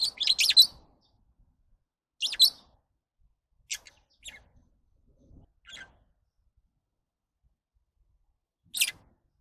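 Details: Lovebird giving sharp, scratchy high chirps in short separate bursts, a louder cluster at the start then sparser single notes spaced a second or more apart with silence between.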